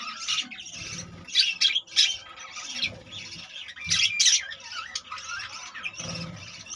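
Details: Budgerigar colony with about 25 newly born chicks: loud overlapping chirps and harsh squeaky warbling in bursts, with faint low thumps underneath.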